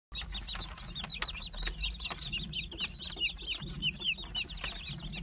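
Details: Light Brahma chicks, offered for sale, peeping in a dense chorus of many overlapping high, quick descending chirps, with a low background hum.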